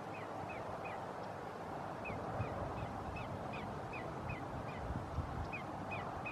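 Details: Greater yellowlegs at Roxbury Park, Meggett, South Carolina, 5 January 2019: faint, high, down-slurred whistled notes repeated in short runs, partly buried under heavy broadband background noise.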